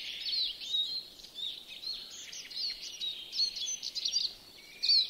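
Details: In a yard in Joroinen, Finland, a European greenfinch sings a long, fast run of high twittering and trilled notes, with a brighter rising phrase near the end, over faint background hiss.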